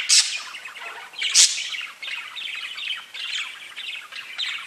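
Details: Several pet budgies keep up a steady rippling chatter, broken by two loud, harsh, high squawks in the first second and a half, then busy twittering continues to the end.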